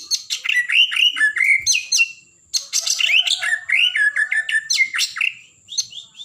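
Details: White-rumped shama, blorok variety, singing energetically in gacor style to provoke other birds: dense run of bright whistles, chirps and descending slurred notes, broken by a brief gap midway, then resuming with rapid phrases.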